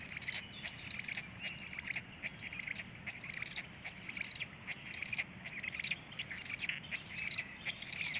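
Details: Black stork chicks at feeding time, 19:13, keep up a continuous chorus of high, wheezy squeaks in uneven clusters, roughly seventy-five per minute, over a low background hum.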